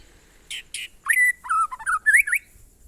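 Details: White-rumped shama, monotonous glondong song style: two short noisy chips followed by clear whistled slurs and a rising warbled phrase, with faint low background hum.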